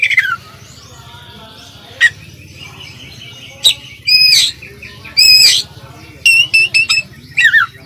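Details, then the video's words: Oriental magpie-robin, a competition-contender bird, sings scattered phrases over steady background hiss: a falling whistle, single sharp chips, short buzzy bursts and a quick run of clipped notes. "suara masteran kacer gacor full isian calon juara"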